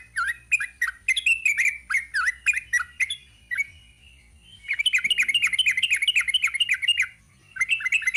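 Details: Long rapid 'ropel' singing by a sooty-headed bulbul: a fast chattering run, a brief pause, then a very rapid burst of short bright notes, a second pause, and more notes.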